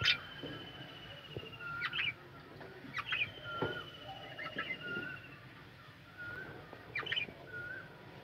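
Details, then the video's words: Budgerigars calling together in a kept colony with room to fly. Short sharp chirps and rising squeaky notes come in scattered bursts, with quieter twittering between them over a steady background hiss. "বাজরিগার পাখির কলরব ও গান"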